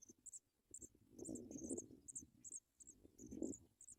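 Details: Paddyfield pipit young in the nest during feeding: faint, thin, high-pitched cheeps in quick irregular series, partly masked by steady low rustling and movement.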